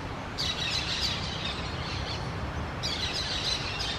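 Orange-chinned parakeets give two bursts of shrill, scratchy, high chattering, each lasting a second or two, over a steady low rumble of background noise.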